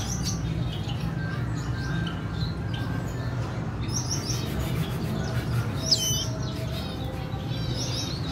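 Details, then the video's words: Red siskin, a female feeding her chick, recorded 14 April 2021; high thin chirps and short rising notes come in scattered bursts, louder near the sixth second, over a steady low hum. "red siskin breeding her chick"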